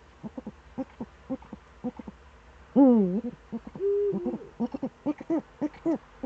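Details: Eurasian eagle-owl, Eifel, early morning, 26 September 2013: short chattering notes, one loud bending nasal call, then a flatter sustained tone and a quicker burst of rising and falling notes.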